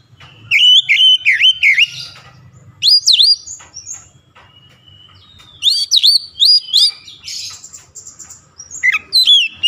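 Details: Oriental magpie-robin song meant to stir lazy birds into singing: sharp, clear whistled phrases with rapid up-down sweeps and high chirps, in bursts separated by pauses, about three phrase groups.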